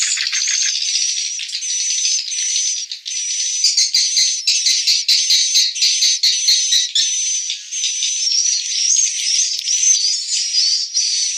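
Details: Swiftlets returning to roost at dusk before evening prayer, edited into a roosting lure sound called Suara Inap Harimau Sumatera; dense high chirping and twittering with steady whistled tones, rapid buzzy pulses and continuous overlapping calls throughout.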